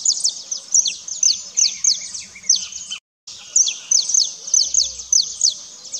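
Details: High, thin chirps from saffron finches feeding on the ground on seeds and insects, coming in quick bursts, some slurred downward, with a short silent cut midway and faint low background rumble.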